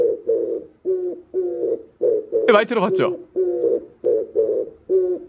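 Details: Oriental turtle dove (mountain pigeon) giving low, hoarse, mournful cooing notes in a steady series, about two per second; only males give this call, calling out of a desire to mate. A brief burst of human voice breaks in midway.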